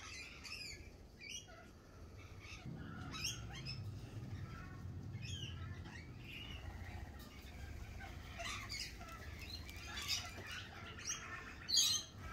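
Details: Lorikeets at a cafe in spring, giving scattered shrill, harsh screeches through the recording, with a steady low rumble underneath.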